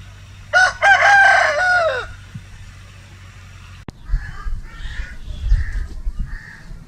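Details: Rooster crowing once for about a second and a half, a loud, harsh, ringing cock-a-doodle-doo, followed by softer repeated clucking calls and low rumbling in the background.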